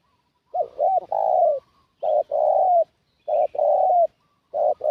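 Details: Spotted dove lure call used for bird trapping: low, soft cooing of two quick coos then a longer, drawn-out rolling coo, the phrase repeated about every one and a half seconds, with no other sounds.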